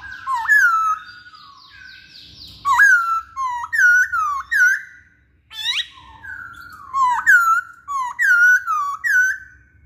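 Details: Masked laughingthrush loud song used to lure males into singing: groups of clear, looping whistled notes, several per group, separated by short pauses and repeated across the recording.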